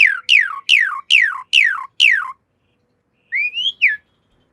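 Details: Javan pied starling, master song for cage-bird training: six loud, evenly spaced, falling whistles about every 0.4 seconds, a pause, then a short rising and falling whistled phrase.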